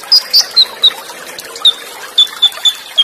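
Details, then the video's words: Olive-backed sunbird in the cililin-burst style with rapid rolls and close pauses: a sequence of thin, clear down-slurred whistles, evenly spaced about four per second with a brief gap midway, faint water behind. "Masteran KONIN FULL ISIAN Materi MEWAH Tembakan Cililin, Roll Speed & Jeda Rapat + SUARA AIR"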